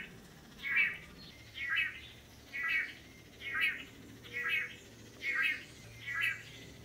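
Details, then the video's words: Courtship display of Long-tailed Manakin males before a female on a Costa Rican lek; a regular series of seven harsh, buzzy notes roughly every second, over quiet forest background. "The Amazing Long-tailed Manakin Courtship Display"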